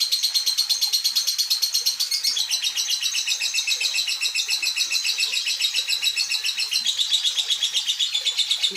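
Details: Old caged lovebird still singing: a fast, steady stream of high, buzzy chattering notes, about four per second, continuing without pause throughout, with faint low voices in the background.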